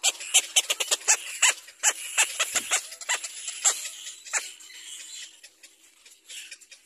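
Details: Young little black cormorant calling for its mother to feed it: rapid, scratchy, high cries in an uneven burst, then fading into softer, sparser calls over the last seconds.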